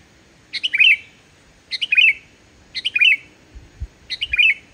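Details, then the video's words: Sooty-headed bulbul singing energetically, with no mimicked songs mixed in, used to coax reluctant bulbuls into singing. It gives four matching bubbly, whistled phrases that dip and rise, one roughly every 1.2 seconds, against a quiet background. "suara burung kutilang gacor tanpa isian, ampuh buat pancingan burung kutilang yg male bunyi"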